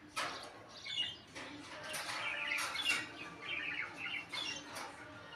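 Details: Indian ringneck parakeet, a pet, producing a stream of scratchy, chattering notes and short squawks with a few high chirps, in irregular bursts over about five seconds, in a quiet indoor setting.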